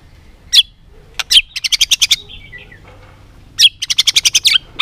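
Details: White-rumped shama giving repeated sharp ticking notes in quick even series, about eight per burst, with a soft whistle between bursts, during competitive singing.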